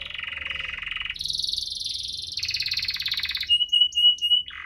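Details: Canary in full rolling 'ngerol' song with 'cuit-cuit' chirps, used to prompt canaries slow to sing: a fast buzzy trill, then a higher rapid roll, then a pure steady whistle broken by short high notes.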